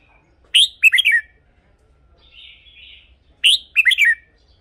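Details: Red-whiskered bulbul song played to excite caged birds or as a decoy: the same short bubbly phrase of four quick whistled notes given twice, about three seconds apart, with a soft distant chirp between.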